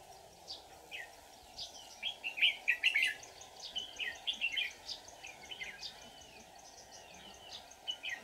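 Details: Red-whiskered bulbul, 24 July 2019, recorded while trapping wild bulbuls; fast run of bright, slurred whistles peaking mid-clip, with faint high calls and a steady droning background.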